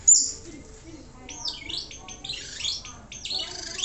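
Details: Pentet (Long-tailed Shrike), a caged contest songbird, giving high sweeping slurred whistles and scratchy twitters at moderate volume.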